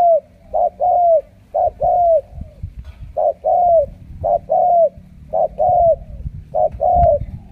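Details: Spotted dove, a trained caged bird from Ca Mau, Vietnam, of the type locally called a 'siêu gù' or super-cooer, giving loud repeated coos in short and longer notes, each phrase about a second apart.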